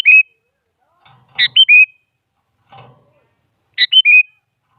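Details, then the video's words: Sooty-headed bulbul, a female calling the male, used as a lure to make a silent bulbul answer; short bright whistled phrases of three quick notes, a high note falling to a level whistle, repeated about every two seconds, with faint rustling. "Suara Burung Kutilang Selalu Dicari Buat Pancingan Jadikan Kutilang Diam Ikut Nyaut"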